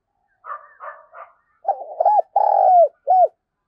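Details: Spotted dove calling as a lure: a few soft breathy notes, then a full phrase of low hollow coos, a short note, a long drawn coo sliding down, and a clipped final coo.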